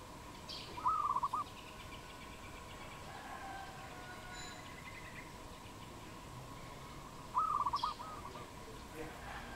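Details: A wild dove in Cambodia, 22 April 2020, gives two brief bursts of rapid staccato cooing about six seconds apart. Long quiet gaps in between are filled with steady background hum.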